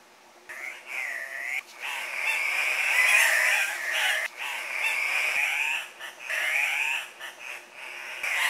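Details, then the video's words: Andean cock-of-the-rock males calling at a lek, competing for breeding females by displaying, bobbing and hopping: harsh, nasal squawks and wavering grunts overlapping in a near-continuous chorus with only brief pauses. "Andean Cock of the Rock. Lek"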